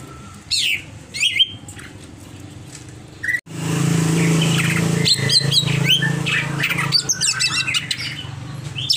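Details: Agitated greater green leafbird: a few scattered bright chirps and slurred squeaks separated by quiet gaps, then a loud low droning hum with a quick burst of high, twittering notes on top.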